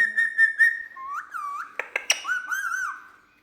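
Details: A pet Indian ringneck parakeet, coaxed to talk and to imitate a cat's meow, gives clear mimicked speech: nasal, harmonic-rich syllables with warbling rises and falls, a few sharp clicks midway, over three seconds.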